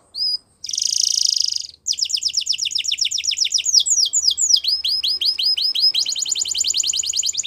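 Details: Belgian canary song opening with a short note and a dense buzzy rattle, followed by rapid descending whistled notes and steady repeated chips, with a faint low hum behind.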